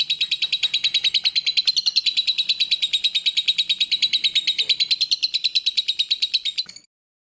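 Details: Lovebird singing a clear tutoring song for training other songbirds: a long, fast chatter of sharp, high, buzzy notes, about three each second, holding steady with slight rises and falls before stopping abruptly.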